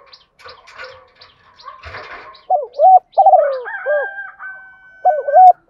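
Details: {'caption': 'Rustling and flapping noises open, then a female spotted dove calling males in the morning gives soft, low cooing phrases with a drawn-out falling note, plus a faint steady whine.'}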